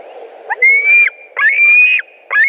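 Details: At a Latvian nest on 2 August 2020, white-tailed eagles scream as fish is brought in and fights break out. Two drawn-out, piercing cries climb slightly in pitch, each preceded by a short clipped note, and a third begins.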